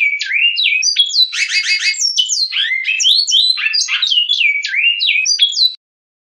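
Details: A Great-billed seed finch (Sporophila maximiliani) sings the classic Goiano 'Batuque' line song: a fast, unbroken run of clear rising and falling whistles, broken once by a dense buzzy trill, with no other sounds.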